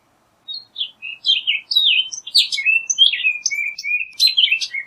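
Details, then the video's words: Rapid, jumbled orchard oriole song: a four-second stream of varied whistles, slurred notes and buzzy chatter, some notes sweeping up and down, against an otherwise silent background. "Orchard Oriole Bird Singing, Calling, Chirping, Sound - Calandria Castaña Canto"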